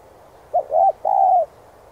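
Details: Cooing Spotted dove, 'thúc giọng' urging song for training decoys: a clipped first note followed by two hollow coos, the last longest and sliding gently down, in a clean, quiet setting.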